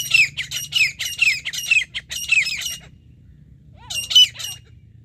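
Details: A grey francolin heard during a partridge hunt gives a fast run of harsh, shrill, squawking notes, about two per second, then pauses before a second loud burst.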